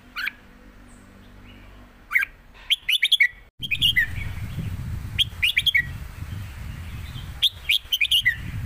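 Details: Competing caged red-whiskered bulbuls sing southern master-style phrases of quick bright chirps and warbles, three bursts spread over several seconds, against a steady low rumble of background noise.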